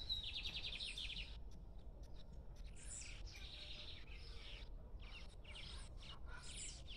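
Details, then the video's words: Lined seedeater singing at liberty: a whistled start, then a rapid string of high buzzy notes. Later come further bursts of high, scratchy sounds, with a low hum throughout. "Bigodinho cantando Solto"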